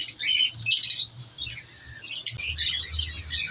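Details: Captive African lovebird colony during breeding: scattered shrill chirps and squeaky notes from several birds, with quieter gaps between bursts.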